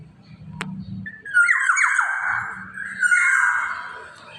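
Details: Black-naped oriole calling energetically with a drawn-out harsh, nasal squawk that dips and recovers, followed by a second shorter rasping burst, over a low humming background.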